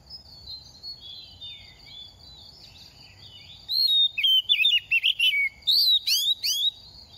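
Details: Second-year oriental magpie-robin, quick to sing while moulting, singing to stir other birds: a steady high thin tone, then from midway a burst of rapid jumbled whistled and warbled notes in short phrases.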